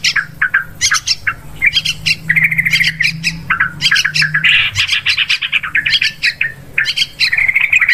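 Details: Yellow-vented bulbul calls used as a hunting lure for fields, forest and plantations: busy bursts of sharp chirps and harsh squawks, tumbling together with brief gaps between phrases.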